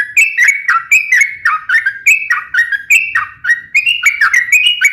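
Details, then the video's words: Continuous sooty-headed bulbul song for luring and as a training tutor: mellow whistled phrases sliding down then up, repeated rhythmically without pause. "suara trucukan gacor cocok untuk pancingan dan masteran"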